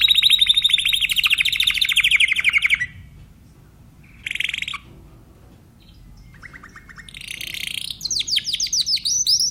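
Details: Timbrado canary song opening with a long rapid rolling trill, then a short burst, silence, and renewed quick repeated high notes and sweeping trills.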